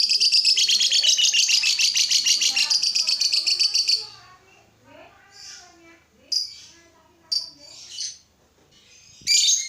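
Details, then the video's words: Lovebird singing, a sound used to provoke other lovebirds into singing: a loud, fast, buzzy high-pitched chatter of rapid repeated notes for four seconds, followed by scattered short sharp chirps and squeaks. "Suara burung lovebird ini ampuh bikin lovebird lain ikut gacor"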